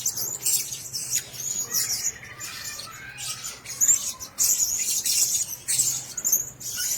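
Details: Caged Blue-crowned hanging parrots, several in one cage, utter piercing high twittering notes in irregular bursts of about a second each, over a faint low hum.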